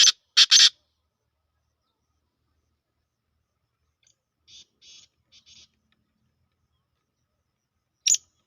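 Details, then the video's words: Two Sindhi black francolins in a calling contest of harsh voices; loud, rasping broadband bursts open the recording, softer grating notes follow midway, and one last sharp burst comes near the end, otherwise silent. "کالا تیتر کی آواز دو سندھی کالے تیتر سخت آوازوں کا مقابلہ"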